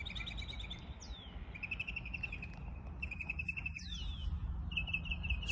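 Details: Mockingbird imitating other birds, switching between phrase types: trilled buzzy runs, sweeping downward whistles and a steady rapid trill, each repeated in bursts, with constant low background rumble outdoors.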